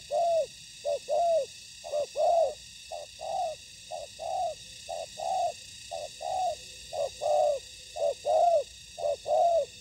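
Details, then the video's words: Spotted dove decoy in ground trapping, meeting a fierce wild bird: paired coos, a short note then a longer arched mellow coo, repeated steadily about once a second, with a steady high hum in the background. "Bẫy cu gáy mồi đất : Tuyển tập Mồi cùi bắp gặp Bổi trận của năm"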